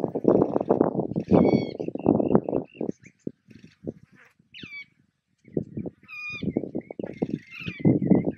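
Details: Mulga Parrot juveniles taking food at Patchewollock Conservation Reserve in Victoria give loud raspy pulsed begging bursts that pause mid-clip, while clear downward-sliding whistled notes sound several times above them.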